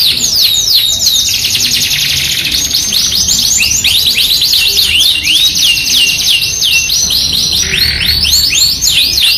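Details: Yorkshire canary, a steadily singing bird used as a song tutor and lure for other canaries, delivering rapid high trills and repeated swooping whistled notes, some rising, some falling, in a dense unbroken stream with a brief lower buzzy roll near the end.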